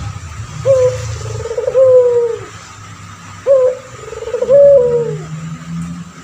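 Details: Male puter pelung turtle dove, a vocal bird kept for training other birds. Two full cooing phrases and the start of a third, each a clipped opening note then a long, wavering coo that falls away. Low humming noise throughout.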